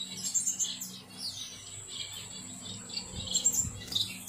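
Gouldian finch chicks beg with thin, high chirps and a long, steady whistled tone, over a low electrical hum.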